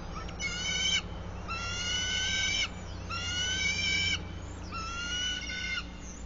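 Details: Bald eagle calling at the nest, 100 feet up a sycamore in Bluff City, Tennessee, one March 2024 morning, heard on a live camera: four evenly spaced, long, grating harmonic squeals, each roughly a second, with low background hum.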